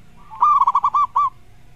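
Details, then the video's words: Zebra dove, the local perkutut, giving one quick phrase of about six rapid, mellow pulsed coos on a steady pitch, the last note slightly separated; faint low hum behind; used for training songbirds. "SUARA BURUNG PERKUTUT"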